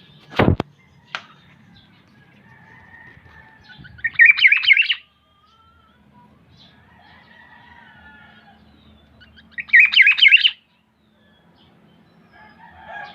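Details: Black-naped oriole, known locally as kilyawan: two harsh, buzzy, nasal bursts about six seconds apart, each lasting under a second, with faint thin whistles and a sharp click in between.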